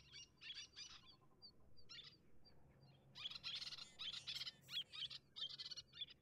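Little terns give harsh, raspy chattering calls in quick bursts, several a second, growing louder and busier halfway through, over a low steady hum.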